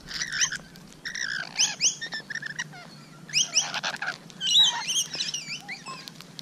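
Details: Rainbow lorikeets heard close on the morning of 12 June 2017, giving scattered shrill screeches and squeaky chattering notes in uneven bursts.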